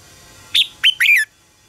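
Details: Red-whiskered bulbul contest song used to train and stimulate birds to sing: one bright phrase of three loud whistled notes, the first high and falling, the last two slurred and dropping, over a quiet background.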